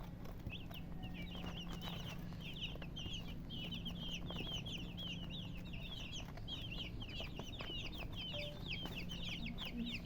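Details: Chicks of the domestic chicken chirping together, a dense, continuous chorus of high, short downslurred peeps overlapping throughout, with a constant low background hum.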